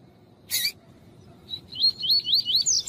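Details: A female double-collared seedeater (coleiro tuí-tuí) calls to stir up a male. A single sharp click opens, then after a pause comes a rapid run of high rising whistled notes that grow louder and slightly higher as they continue.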